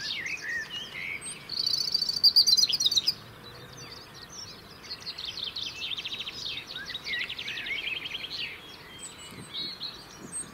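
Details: Song of a European robin keeping a winter territory in the UK: scattered high thin notes, a loud bright trilled burst around two to three seconds, then quieter rapid twittering trills.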